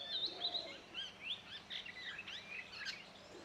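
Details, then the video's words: Song of a male Oriental magpie-robin near Satpura, Central India, heard at moderate distance: a fast, varied string of thin whistles, upslurred chirps and twittering notes, with a soft steady hum beneath. "The Song Of The Oriental Magpie Robin"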